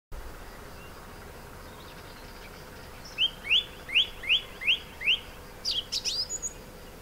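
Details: Male song thrush singing from abandoned orange groves near Sueca, Ribera Baixa, Valencia, Spain, where it now breeds: six sharp, repeated whistled notes about every half second, then a brief, high, chattering phrase.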